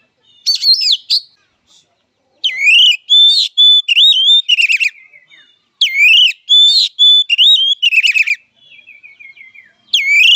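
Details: Oriental magpie-robin fighting song, used as mental and emotional therapy for magpie-robins: loud, clear whistled phrases of rising and falling notes and rapid trills, delivered in bursts separated by short pauses, with a softer warbling passage near the end.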